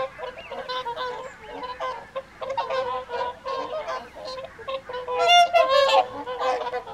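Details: Whooper swans at the evening feed on the Folly Pond, WWT Caerlaverock, in January 2023; a dense chorus of many honking, bugling calls overlapping continuously, some louder trumpeting notes rising above the flock.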